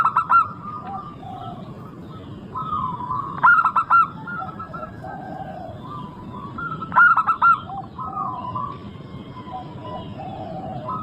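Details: Local zebra dove in active song, used as a lure to get other zebra doves singing: three bursts of quick, rolling cooing notes about every three and a half seconds, over steady softer cooing from other doves in the background.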